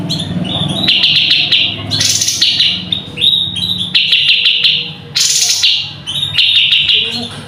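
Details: Cucak cungkok song used as a tutor recording for training cage birds: dense buzzy trills around a high band, broken by sharp rapid clicks and brief hissing bursts, repeating in short phrases with steady background hum.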